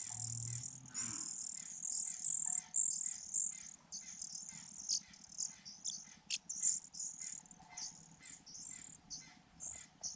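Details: Fujian niltava chicks, four in a grass-hidden nest, call for food: rapid, high, thin squeaks repeated roughly twice a second in uneven bursts, with a faint low hum beneath.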